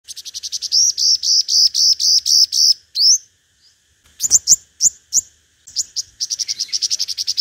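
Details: Five-coloured sunbird lure recording of competitive singing, used with a loudspeaker: rapid runs of high, thin repeated chips, pauses, then sharp upslurred notes and another fast trilled burst.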